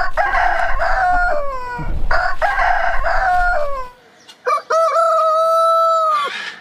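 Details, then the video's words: Rooster crows from a compilation of big heritage-breed roosters: two overlapping crows over low background rumble, followed after a pause by a clean, long, level crow. "Hane Gallos Cantando Chicken Crowing as Chicken Song Suara Ayam Pelung Berkokok Hahnen Krähen"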